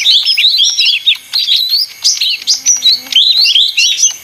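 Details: Ijo mini leafbird pouring out a loud jumble of chattering, warbled whistles, rising and falling quickly, broken by brief dips into quiet; a faint low hum runs midway.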